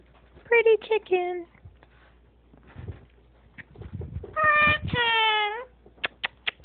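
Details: Moluccan cockatoo kept as a pet indoors, telling its owner about its day: a few short nasal syllables, soft murmurs, a longer harmonic drawn cry, then four sharp clicks.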